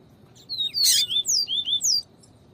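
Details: Double-collared seedeater singing in the viviti style, played alongside female calls to excite and stimulate a cold male: a quick run of high, sweet, down-slurred whistles with one burst of scratchy noise, over steady low hiss.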